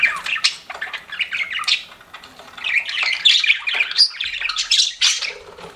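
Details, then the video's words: Pet budgerigars chirping and warbling in a busy mix of squawky and rising notes, chatter swelling again after a brief lull. "CUTE PET BUDGIES CHIRPING"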